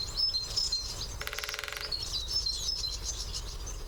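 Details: Great spotted woodpecker drumming on its favourite drumming post, recorded with a parabolic mic at a branch: one rapid even roll of strikes lasting about half a second, set among thin high whistled notes from other birds.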